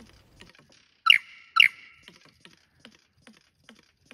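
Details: Lyrebird performing in cool wet rainforest at Tarra-Bulga National Park, Victoria: two loud, rich, ringing notes half a second apart, each sliding down and then holding a steady tone, among soft scattered clicks and ticks.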